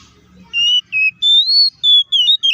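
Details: Oriental magpie-robin (kacer) in fighting ngeplong song, used as a lure to make other magpie-robins angry quickly; a run of six or seven clear, pure whistles, some level and some gently rising or falling, each sharply separated by brief gaps.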